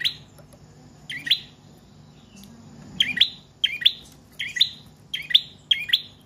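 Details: Prinia, called prenjak trotol or paot, singing at length, used as a lure and as a tutor for training other cage birds; sharp high chirps in short paired bursts, a pause after the first, then repeating about every half second.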